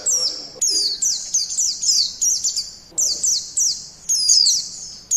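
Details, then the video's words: White-eye song used as a lure: very high, thin trilling phrases, each a rapid twittering run, repeated in quick succession with brief gaps, a faint low voice in the background. "Suara Burung Pleci Pemikat"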